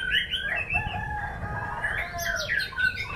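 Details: White-rumped shama in a songbird performance, singing a varied run of whistled and warbled phrases that climb into sharper, higher notes toward the end, with steady low background noise underneath.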